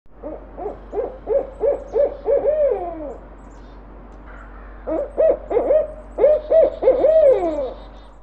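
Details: Barred Owl in a field recording gives two bursts of deep, throaty hoots, about six quick notes each, each series ending in a long, drawn-out descending slur.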